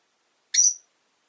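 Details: One brief, shrill chirp from a caged pet rosy-faced lovebird that shares its home with four other lovebirds.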